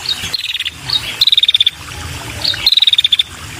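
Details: Calling female red-headed prinia, luring males: three bursts of about ten rapid, evenly spaced high clicks, each run dropping slightly in pitch, separated by short gaps, with a continuous high hiss behind.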